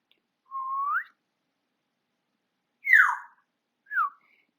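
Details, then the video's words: Pet African grey parrot whistling indoors: a rising tonal whistle sweeping upward, then a sharp falling whistle and a short downslurred note, separated by silence. "My African Grey Parrot Whistling Away"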